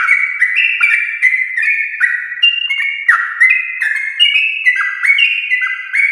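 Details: Sooty-headed bulbul in the morning, singing a long, rapid, continuous song of the style called ropel, used to stir other bulbuls to sing: bubbly mid-pitched notes stepping up and down, tumbling together without pause for six seconds.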